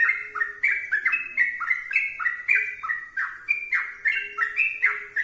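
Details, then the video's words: Sooty-headed bulbul singing vigorously, rich liquid whistles tumbling in rapid, varied phrases, with a faint low hum running underneath. "trucukan gacor berdurasi"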